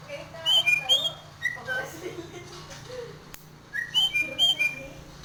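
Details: Nias hill myna in breeding condition, bobbing its head: two bursts of short high whistled notes stepping down in pitch, with softer chatter and faint low hum between them.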